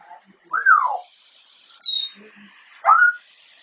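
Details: A 34-year-old female Congo African Grey Parrot, unattended indoors and captured by a security camera, produces three loud whistled beeps: a descending slide, then a brief high falling note, then a sharply rising whistle that levels off. Faint room hiss is audible.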